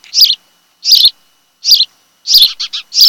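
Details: Ospreys at their Kent Island, Maryland nest, camera recording from 26 July 2018, afternoon; piercing chirps spaced about every three-quarters of a second, ending in a short cluster of quick notes.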